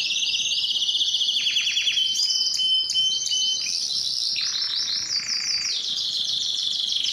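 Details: Canary in full song: fast high trills, a run of descending swooping notes, clear piping tones, and a lower rolling passage, all delivered continuously and loudly.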